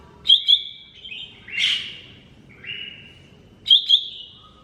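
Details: Lesser green leafbird pouring out a varied song of sharp doubled chirps, drawn-out level whistles and a harsh rasping note, with phrases flowing almost without pause.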